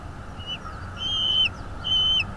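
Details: Bald eagle calling at a nest in North East Florida, filmed by a nest camera on 22 February 2022 at 08:30. Thin, high, level whistles stretch out in long drawn notes, three in a row, over a low steady background rumble.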